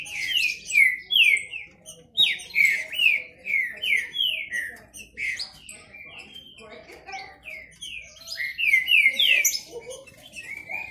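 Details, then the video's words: Rival male Green-winged saltators in a singing dispute, kept birds. Rich whistled notes slur downward in a steady run about twice a second, then fade into quieter overlapping phrases before a loud burst returns. "Esquente seu trinca ferro disputa e macheado"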